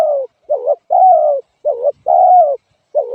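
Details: Short stretch of spotted dove cooing: a dipping, bowl-shaped short note, then a sustained coo that slides downward, repeated rhythmically with clean silences between.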